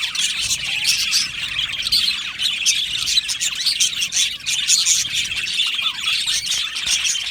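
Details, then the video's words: Many budgerigars in an aviary keep up a busy chorus of warbling, chirping and harsh squawks, a constant layered chatter with no pauses. "Beautiful Budgie singing and chirping sounds"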